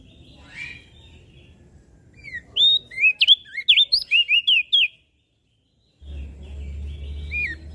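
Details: Mountain leaf warbler song for training caged birds: a rattling string of a dozen bright, bending whistles over about two and a half seconds, then a short silence and steady low hum.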